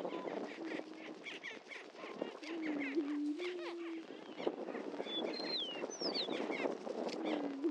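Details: Displaying greater prairie-chickens on a historic lek at Dunn Ranch Prairie, Hatfield, Missouri: a dense chorus of rapid clucking cackles over a faint low moan, with thin sliding whistles from another bird near the end.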